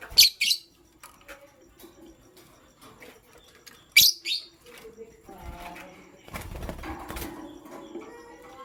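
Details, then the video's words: Morning lovebirds, pastel gray and green, sounding two sharp double chirps, one at the start and one midway, then softer scattered twitters and rustling noise toward the end. "Pastel Gray LoveBird Chirping Sound"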